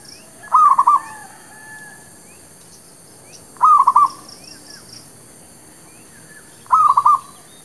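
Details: Local zebra dove, merbuk kampung, singing as a trapping lure; three identical quick rolling cooing phrases spaced about three seconds apart, with faint high bird notes in the background.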